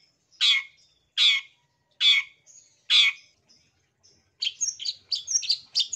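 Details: Long-tailed shrike song played to get silent caged shrikes singing: four loud, rasping screeches spaced under a second apart, then a quick jumble of twittering, scratchy notes.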